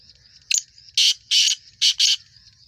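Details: ['A black francolin utters a brief rough note and then four coarse, rasping notes grouped in pairs, loud and clear above a constant high-pitched insect whine.']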